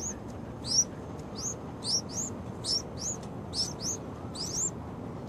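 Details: Baby yellow-vented bulbuls on their sixth day: rapid, fine, piercing peeps, rising slightly in pitch, some in quick doubles, over a noisy hissing background.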